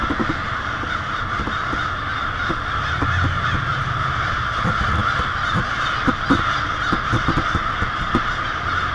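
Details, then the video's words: Hundreds, perhaps thousands, of wild American crows gather at night to roost noisily on a residential avenue in Lansing, Michigan, on February 1 in winter. A continuous dense chorus of overlapping harsh caws forms a steady racket, with a low rumble underneath. "Large murder of Crows in Lansing"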